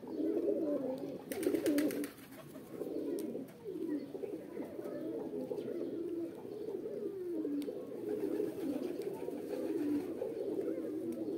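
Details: Pigeons giving a mating call, kept as pet roller and homing pigeons: deep cooing in drawn-out, swelling phrases that rise and fall, several birds overlapping, with brief sharp taps early on.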